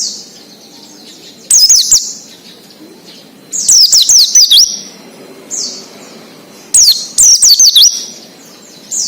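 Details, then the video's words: Oriental white-eye in 'ngalas' wild-style song, played to prompt untrained captive birds: three loud bursts of rapid, high zigzagging whistled notes about every two seconds, with soft thin calls in between. "PLECI NGALAS UNTUK PANCINGAN BUNYI PLECI BAHAN / OMBYOKAN"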